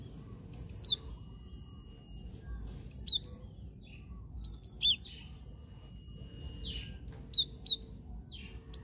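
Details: Trapping lure of a cinereous tit (glatik batu): short groups of two to four piercing high chirps repeated every second or two, with quieter twitters between groups.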